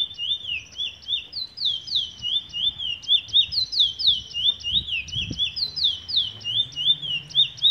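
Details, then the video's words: Chestnut-bellied seed finch (Trini bullfinch) singing a fast, continuous high warble of sweeping, repeated notes, several per second, with faint low rumbling behind. "Trini bullfinch"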